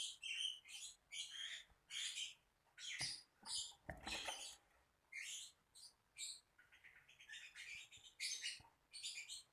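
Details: Lovebird chattering in fast, shrill chirps and squeaks, clustered into quick bursts with brief pauses, with a few soft knocks partway through.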